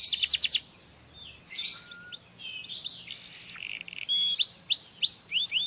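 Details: Canary singing to stimulate mating: opens with a loud rapid rattling trill, then varied whistled notes and buzzy phrases, ending in a series of bright rising whistled syllables repeated about three times a second.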